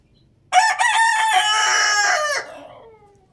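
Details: Loud rooster crow bursting out abruptly after silence, a strained, rasping cock-a-doodle-doo sustained for about two seconds that fades in a brief, falling tail.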